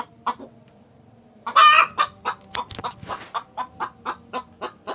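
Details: Village hen calling after laying an egg: a series of clucks roughly every quarter second, broken by a louder drawn-out squawk, over a faint steady background hum.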